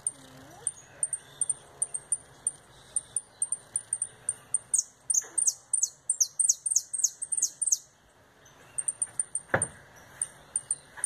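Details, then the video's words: Canary singing retinido with a fast turn, just returning from molt: sparse high metallic ticks, then a burst of rapid ringing descending notes mid-phrase, followed by more ticking and a single knock. "Canário retinido"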